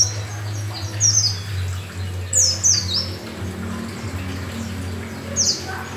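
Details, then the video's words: A yellow-breasted Oriental white-eye singing actively with open beak gives three brief, very high, thin twittering phrases that sweep downward, spaced a couple of seconds apart, over a steady low hum. "Burung pleci dakun(dada kuning) Gacor sudah buka paruh"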